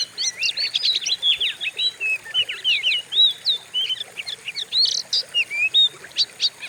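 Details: Oriental magpie-robin singing a lure song for kept birds, called fierce: busy, varied stream of bright whistles, buzzy chips and quick slurred notes, pouring out with only brief gaps.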